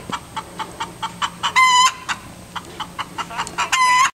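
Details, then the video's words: Domestic hen cackling after laying an egg in a boat, a steady series of short clucks roughly four per second broken by two loud, drawn-out, ringing squawks. "Crowing Hen"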